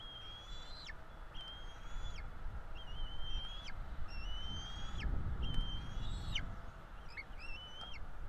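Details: Bald eagle eaglets NE26 and NE27 calling for food at a Florida nest during feeding on 5 April 2022: steady run of drawn-out high whistles, each ending in a sharp downward drop, about three per second at times, faint rumble behind.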